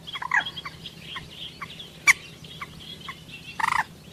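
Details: Common moorhen uttering short clucking notes at uneven intervals, one sharp loud crack near the middle, and a closing burst of rapid pulsed chattering, against low steady hum.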